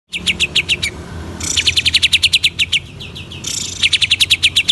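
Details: Greater green leafbird singing vigorously, meant to stir up other leafbirds: bursts of rapid, sharp, high chirps repeated about three or four per second, separated by short pauses, over a faint low hum.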